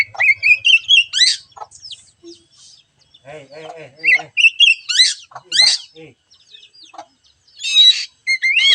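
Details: Oriental magpie-robin song serving as a prompt for a bird that will not sing: bright rising whistled notes and sharp descending trills alternating with grating harsh bursts, plus some lower rough chattering notes midway.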